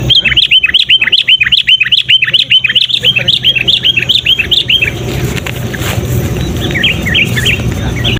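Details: Sooty-headed bulbul, a persistent loud caller used to lure wild bulbuls and to tutor caged birds; a fast run of short, sharp, downslurred chattering notes for about five seconds, then a rough noisy background with a few faint notes near the end.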